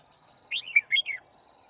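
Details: A red-whiskered bulbul sings as a decoy challenging rivals at a Kim Bôi trapping site, 9 February 2019. It gives a loud, clear, rollicking phrase of four warbled notes in under a second against a quiet background.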